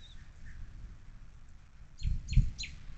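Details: Bald eagle nest at Little Miami Conservancy on 10/04/2024, both parents feeding three eaglets: three thin, high, downslurred squeals in quick succession near the end, over low wind rumble and nest noise with a few faint whistles earlier.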